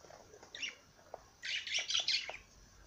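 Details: Singing parrot: a few soft notes, then a dense one-second burst of shrill, scratchy chattering and squeaks.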